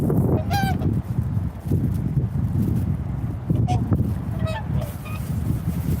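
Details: Swans calling: a few nasal, trumpeting honks scattered through the clip, one near the start and a cluster later on, partly buried under a constant low rumbling background.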